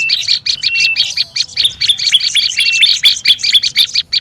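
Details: Olive-backed tailorbird calling excitedly as a lure: a fast run of bright, clipped chirps mixed with brief level whistles, steady and unbroken.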